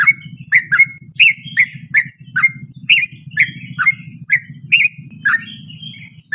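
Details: Yellow-vented bulbul in full 'ropel panjang' long song, used as a lure to get other bulbuls singing: quick bubbly, slurred chirps repeated about twice a second, over a steady low droning hum.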